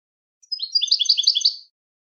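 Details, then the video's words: Short European goldfinch phrase: about a second of rapid, rhythmic chirping notes repeated in quick succession, bright and twittery, with silence around it. "Motivational Techniques for Beautiful Melodies Your Goldfinch's"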